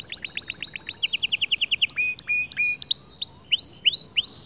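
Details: Male white canary producing motivational song for other birds: rapid repeated upslurred chirps, a lower rolling phrase, then spaced hooked whistles that rise and level off.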